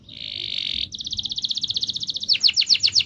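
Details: Canary singing to prompt silent birds into song: a steady buzzy note, then a long even trill of rapid repeated pulses, ending in quicker sweeping chirps.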